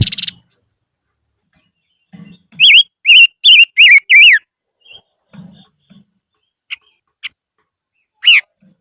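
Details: Decoy silver-eared mesia singing in the highlands: a short phrase of bright, slurred whistles, several rising-falling notes in quick succession, followed by scattered single notes, with faint low knocks in between.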